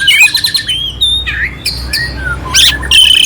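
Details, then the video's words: Harsh, varied song of an oriental magpie-robin used to excite a sluggish bird; rapid chattering notes give way to thin whistles and a buzzy flourish near the end. "Suara Kacer Jernih isian kasar Cocok untuk masteran untuk menaikkan emosi kacer dingin"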